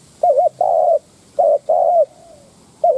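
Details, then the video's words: Lure calls of a decoy spotted dove meant to excite wild doves: a trembling, wavy coo then a drawn-out steady coo, twice, with a faint trailing softer note between phrases. "Tiếng cu mồi đất thúc - gù kích bổi - tập mồi cực mạnh / Chim nghe tiếng này tức điên gù gáy cả ngày"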